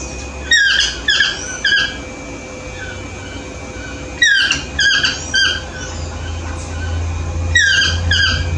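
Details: A Yellow-throated toucan in a morning chorus gives loud, ringing, downslurred yelps in bursts of three or four about every three seconds, over a steady hum and low background rumble.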